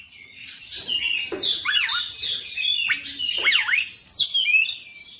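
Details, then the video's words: Oriental magpie-robin in full, energetic song showing its whole repertoire: loud, varied whistles with sharp downward and upward sweeps and quick chattering notes, delivered almost without pause. "KACER NGOTOT GACOR FULL BONGKAR MATERI"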